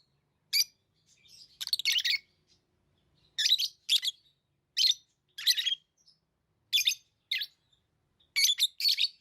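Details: Pet lovebirds chirping: sharp, high, harsh chirps in short bursts of two to four notes, spaced about a second apart, with quiet gaps between and no other sounds.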